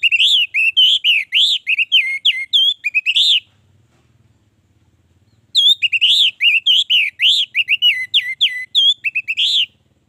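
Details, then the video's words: Orange-headed thrush in loud 'gacor' song, meant to lure other orange-headed thrushes into singing: two long, fast phrases of rich, clear whistled notes that slur up and down, with a pause between them. "Anis merah gacor, pancingan Anis merah agar cepat gacor"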